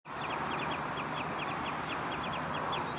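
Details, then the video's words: Common redshank at De Wollebrand water storage area, Naaldwijk, Westland, Netherlands, 11 June 2013: a rapid series of short, sharp, slightly falling piping notes, about five per second, over a steady broad rushing background. "Redshank (Tringa totanus)"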